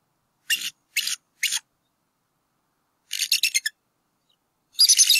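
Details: Bald eagles, a nesting pair on a northwest Georgia campus, vocalize on 8 April 2018 as the male drives an intruder away; three separate shrill notes, then a fast stuttering chatter and a final harsh, squealing burst.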